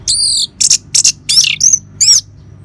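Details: Orange-headed thrush in the ngeban song style, played as a lure to get caged birds singing: loud, high whistled and buzzy phrases with downslurred notes, separated by short gaps, and a faint low hum behind.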